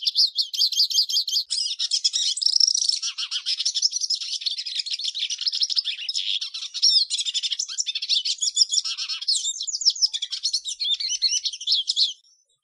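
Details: Hooded siskin singing a continuous, rapid twittering song for twelve seconds, high and buzzy with quick trills, chirps and warbled phrases running together without pause, ending abruptly; no other sounds.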